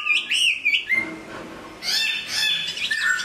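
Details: Caged hwamei singing while moulting: rich, loud whistled phrases with rising and falling slurs around the upper range, a brief quieter gap, then a burst of bright, varied notes and a lower whistled ending.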